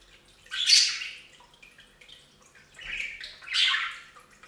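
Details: Bathing budgies at a fountain let out three harsh, rasping squawks, spaced a second or more apart, with quiet gaps between.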